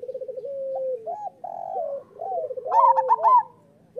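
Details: Local zebra doves used as a master song to coax lazy doves into singing: several birds overlap in rapid stuttering coo trills that slide downward, with a louder, higher rolling phrase near the end.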